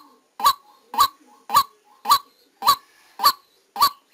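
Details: White-breasted waterhen used as a decoy bird, recorded live during trapping in Vietnam: seven loud, harsh honking notes with a bright peak, evenly repeated about every half second, over faint background.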